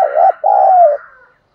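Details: Spotted dove used for luring wild doves, in the 'thúc đấu' style, giving one low cooing phrase: a short hooting note, a brief pause, then a longer level coo that trails off, with a faint higher hum behind.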